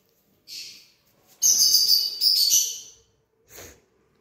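A lorikeet gives harsh, high, grating screeches: a short burst, then a long rasping squawk of over a second, and a final brief screech.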